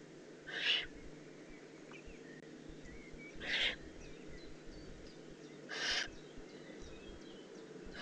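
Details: Juvenile Eurasian eagle-owl in the Eifel, recorded 18 June 2016: three harsh, hissing screeches, each about a third of a second long, spaced roughly two to three seconds apart, over a steady low background hum.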